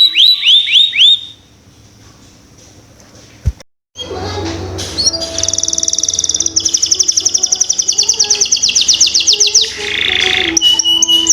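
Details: Canary song used as a lure for young birds to start singing: a few sharp chirps, a short near-silent pause, then rising rolls of quick repeated trill notes over a faint low hum.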